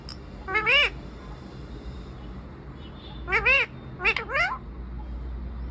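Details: Parrot sitting on a tree and talking without pause. One wavering, rising-falling voiced phrase, a gap of over two seconds, then two more quick harmonic phrases close together, above faint low rumble.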